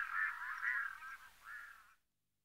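Red-throated Loon giving harsh, nasal, croaking calls: three drawn-out, mid-pitched notes over about two seconds, with nothing else heard.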